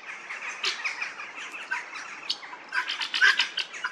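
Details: Helmeted guineafowl in an English churchyard in Northamptonshire: scattered harsh squawking bursts over a quieter background, one near the start and a louder cluster of rasping notes toward the end.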